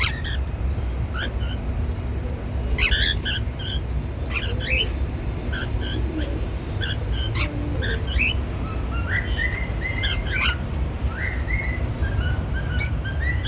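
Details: Pet cockatiels grooming and singing give bright chirps and short rising whistles, happy chatter over a steady low hum.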